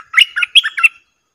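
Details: Streak-eared bulbul used as a caged decoy to lure wild birds: a short burst of about six bubbly, chortling notes in under a second, quiet background.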